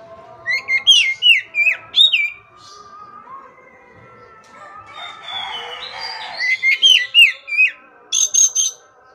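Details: Kacer, or Oriental magpie-robin, singing as a master recording for stressed, silent birds: repeated groups of loud upslurred whistles, a stretch of softer scratchy warbling, another whistled run, and a closing set of high buzzy bursts.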